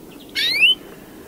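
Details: Single loud European greenfinch song note: a harsh buzzy onset drawn out into a clear rising wheeze lasting under half a second, preceded by two soft faint notes.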